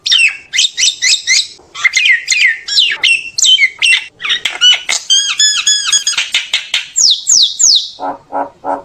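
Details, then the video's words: Common myna calling its flock with rapid chattering phrases, a run of harmonic notes, three descending whistles, then three low harsh calls. "tiếng chim sáo nâu hót gọi bầy kích bổi giọng chuẩn"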